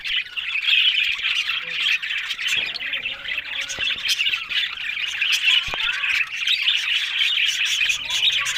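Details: Pet budgerigars in a group keeping up a steady chorus of scratchy warbles and short squawks, overlapping so thickly that it forms an unbroken babble.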